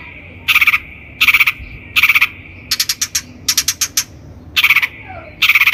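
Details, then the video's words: Long-tailed shrike lure recording for training birds: loud grating rasps repeated roughly every three-quarters of a second, broken by a quick stuttering series of short buzzy notes, with no other sounds. "PANCINGAN CENDET GACOR COCOK BUAT CENDET BAHAN | THE LONG - TAILED SHRIKE SOUND"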